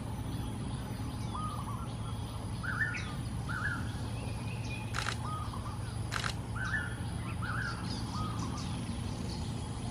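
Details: Wild golden-backed weavers in Singapore, a flock nest building in trees in the middle of a pond at early morning, calling raucously. Brief rasping chirps repeat every second or so, with two loud clicks and constant low background rumble.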